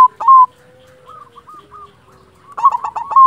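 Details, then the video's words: Silver zebra dove, a lively local singer, opens with a clear cooing note, pauses through faint short tones, then bursts into a rolling, bubbling flourish ending in a sustained, level coo. "Perkutut silver gacor Jagonya Mengundang Bunyi Bikin Yang Macet Langsung Nyaut"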